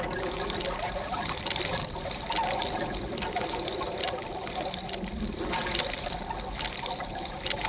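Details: Continuous trickling and splashing water, with no animal voices standing out.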